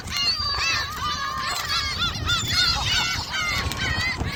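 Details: Many gulls calling together while being fed at Jebudo, South Korea; dense layered mewing cries, some long and flat, others rising then falling, almost continuous, over low rumbling wind.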